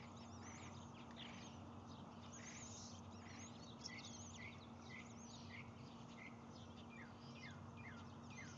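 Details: Osprey at a camera-watched nest at Lake Murray, 7:58 am on 12 May 2020, during feeding as the male brings a whole fish and the female feeds a chick hatched that morning; rapid series of sharp, high whistled chirps over a steady low hum.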